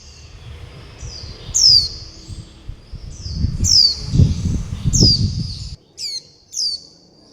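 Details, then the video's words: Young warbling white-eyes beg for food and call their mother: high, falling squeaks with soft whistled tails, partly over low rumbling handling noise that stops abruptly, followed by two quick sharp notes. "Tiếng chim vành khuyên non gọi mẹ - gọi bầy - đòi ăn"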